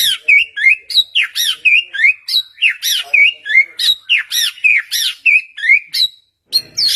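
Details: White-rumped shama lure song for coaxing a silent bird into replying: the same bright, looping whistled phrase repeated quickly, about three times a second, then a short pause near the end.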